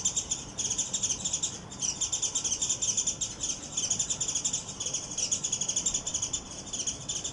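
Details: A Japanese white-eye, which the owner suspects challenged a paired male and lost after a fierce chase and ground fight, gives excited, fast, high, scratchy twittering in dense runs; the pair calls faintly from a roof later; 26 February 2024.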